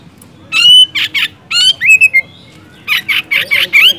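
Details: Oriental magpie-robin (kacer) singing loudly, played to coax lazy birds into song; a sliding whistle and raspy notes, a gap, then a fast series of buzzy chattering notes with whistles mixed in.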